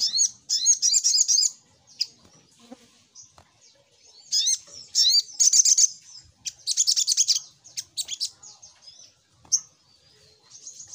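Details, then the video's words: Sogok ontong lure song used to draw in wild birds: bright, high chirping bursts with quick rising and falling notes and twittering trills in short phrases separated by pauses. "Suara Pancingan Burung SogokOntong"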